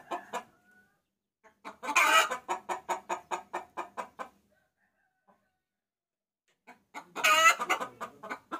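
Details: Hen calling for a rooster as a lure: several clucks, then a loud rasping squawk leading into a steady series of about ten clucks, a few seconds of silence, and another squawk near the end.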